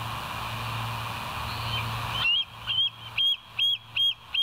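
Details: Bald eagle at the West End nest, 20 July 2023 at 05:04, live cam: noisy rustling gives way to five clear high whistled notes repeated at a brisk, even pace over a low hum.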